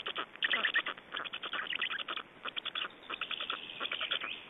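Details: Black storks in Estonia at the nest during feeding and a change of adults, 25 May 2012, about 17:03; dense, rapid, rasping pulsed calls in uneven bursts, several per second, with a narrow, muffled tone throughout.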